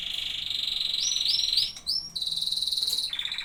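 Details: Canary singing: a steady rolling high trill, then a series of quick upward-sweeping whistled notes, followed by another fast rolling trill that drops slightly in pitch at the end.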